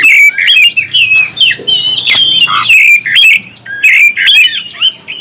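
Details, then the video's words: Oriental magpie-robin song used to stir up other birds: loud, rich whistled phrases with rapid slurred notes, harsh squawky bursts and rising and falling trills, densely packed with barely any pauses. "NAIKAN EMOSI BURUNG KACER ANDA"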